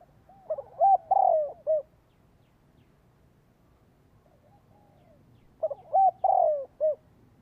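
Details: Decoy spotted dove calling to attract wild birds. Two similar phrases about five seconds apart, each a quick burst of soft rising and falling coos ending in a longer, drawn-out note. Silence between phrases.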